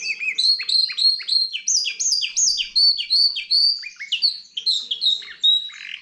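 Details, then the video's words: Goldfinch and canary cross giving rapid, repeated slurred notes in steady trills, each phrase a few quick downward-sweeping chirps, loud and high, in a quiet setting. "καρδερινοκαναρα (Goldfinch x canary)"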